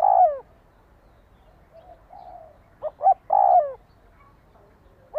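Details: {'caption': 'Spotted dove call used to stir a decoy bird into quick response: a loud descending coo opens, soft murmuring notes follow, then two short clipped notes and another long falling coo, with a final brief note at the end.'}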